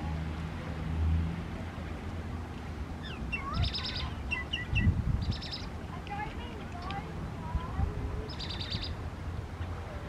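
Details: Common myna, non-native in Australia, singing while perched high on the big leaves of a palm tree: mixed short whistles, upward-curling notes and harsh buzzy bursts in scattered phrases, over steady low background rumble.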